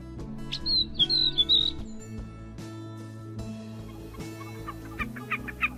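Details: A catbird sings bright, squeaky, chattering mimicry in two bursts a few seconds apart, imitating species such as Sora rail, Western wood-pewee, Wilson's snipe and Pacific tree frog, over steady background music.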